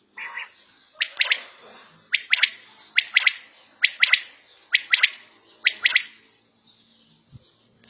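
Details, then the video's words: Quail calling at home: sharp three-note phrases, each a quick burst of bright clicking notes, repeated about once a second, preceded by a short lower rasping note; background otherwise quiet. "Battair Sound In Home"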